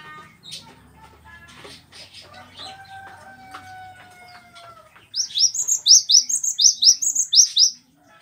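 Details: Cinereous tit master song for training captive birds: after a few seconds of scattered clicks and long thin level whistles, a rapid regular series of about eleven high, bright, upslurred notes.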